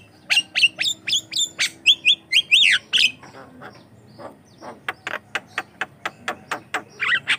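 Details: Javan myna singing as a lure and model for other mynas: quick squeaky whistles and grating notes, then a steady series of sharp clicks about two per second, closing with a rising squeal.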